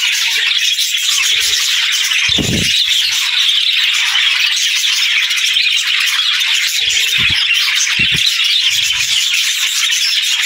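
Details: Several happy parakeets chattering in the morning: a steady wash of high twittering and scratchy chirps, with a few short low thuds near the start and toward the end.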